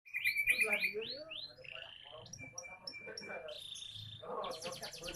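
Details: Young canary singing: a rapid rolling trill of repeated upward-hooked notes, then a sliding low whistle, a steady held tone, and bursts of high buzzy notes, closing with a loud rattling roll.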